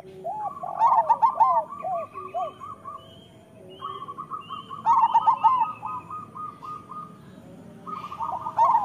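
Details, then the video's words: Several local zebra doves sing as a master recording for training. Rapid stuttering coo bursts alternate with long runs of evenly repeated soft notes, with the phrases overlapping. "Perkutut lokal gacor Suara Masteran Burung Perkutut Paling Ampuh"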